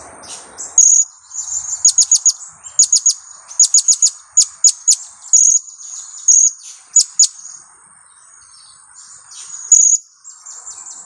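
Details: Two-week-old young blue-crowned hanging parrot, kept as a lure for trapping, giving kiak calls: shrill, very high clipped notes in quick bursts of three to five, the bursts repeated every second or so, with a short pause near the end.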